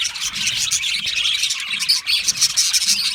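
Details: Chorus of Australian budgies in an aviary colony: busy overlapping warbles and rapid chirps, steady and unbroken, with brighter squeaky notes toward the end.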